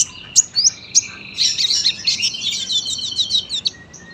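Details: Long unbroken sunbird song for tutoring young birds: a few sharp, high separate notes, then a fast rolling run of thin twittered notes that ends in a lone whistle.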